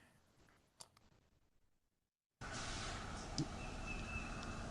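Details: A faint click and a moment of silence give way to a loud burst of broadband noise with a steady, flat electronic-sounding tone.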